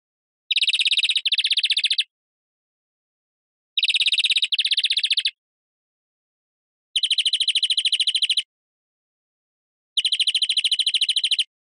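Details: European greenfinch giving four rapid trilled phrases spaced a few seconds apart. The first two shift in pitch partway through, and the last two stay steady.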